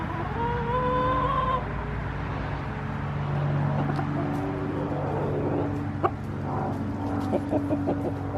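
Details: A 21-week-old rooster on Halloween morning gives a drawn-out, slightly rising alarm note lasting over a second, which the owner believes warned the flock of a passing plane, then soft clucks and scratching, over an engine-like hum and music.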